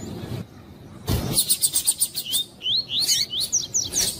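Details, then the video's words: A double-collared seedeater (Sporophila caerulescens), as used to warm up or train captive birds, gives a rapid series of high, sharp notes, then quick rising slurred whistles, over passing car noise. "MELHOR CANTO DE COLEIRO TUI TUI PARA ENCARTE DE COLEIRO TUI TUI COM ESQUENTAR COLEIRO TUI TUI"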